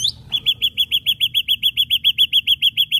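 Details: Ashy drongo delivering sharp, insistent notes: a brief rising whistle, then a fast, very regular string of bright, high chipping notes, around four or five per second, with a quiet low background.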